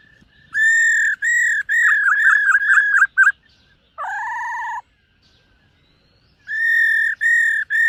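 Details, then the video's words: Morning voice-training song of a silver-eared laughingthrush: runs of loud steady whistles, some wavering, a lower nasal buzzy note, a pause, then more clear whistles in a row. "Khướu BẠC MÁ hót MÚA luyện giọng . Khướu hót sáng luyện giọng kích bổi"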